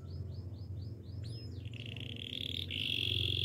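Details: Gloster canary giving a row of evenly spaced high upward-curving whistles, a quick swooping note, then a sustained bright trill, set against a steady low background rumble.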